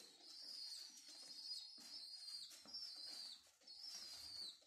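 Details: Parentless homing pigeon squabs rescued from a mosque minaret under renovation beg while being hand-fed indoors: piercing high whistles stretched into long, slightly wavering strands, pausing briefly between bursts.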